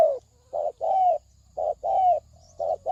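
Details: Thổ sấm đồng style coo of a spotted dove, played as a lure for males and females. Short and long hollow coos alternate steadily over a faint low hum and a thin high whine.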